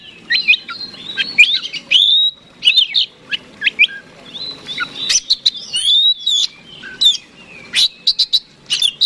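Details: Fighting-type Oriental magpie-robin singing nonstop as a lure to provoke a rival bird into puffing up to fight: varied loud whistled and scratchy phrases, sharp upslurred notes and quick chips in short bursts separated by brief pauses.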